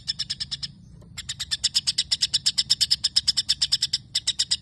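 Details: Shama song filled with long sparrow-like phrases: a burst of quick chirps, a brief pause near one second, then an even faster run of sharp repeated chips.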